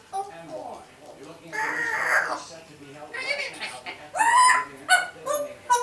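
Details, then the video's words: Indoor pet African grey parrot, a year-old female, running through learned phrases; muffled speech-like mumbling swells into a longer voiced phrase, followed by clear, bright rising syllables near the end. "1 year old African Grey Parrot, Nala, just blabbering"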